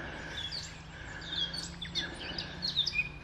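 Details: Male Eurasian blackcap singing at La Sauge on 30 March: a quick, high chatter of short scratchy and whistled notes, with other birds chirping and a low steady hum underneath.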